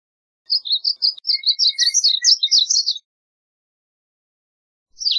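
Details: Varied bunting delivering a lively warble of high chirped notes for about two and a half seconds, followed by the start of another phrase.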